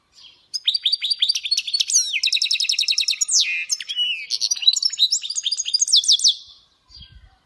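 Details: Goldfinch hybrid (mule) singing a rapid, varied song of twittering trills, buzzy rattles and sweet rising and falling notes, with fast repeated chattering runs and a short pause near the end.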